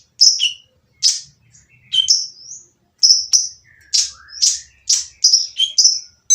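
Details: Oriental magpie-robin singing noisily to entice others to join: scratchy falling bursts, high whistles and rising slurs, speeding into a dense string of notes near the end, with faint low thumps in the background.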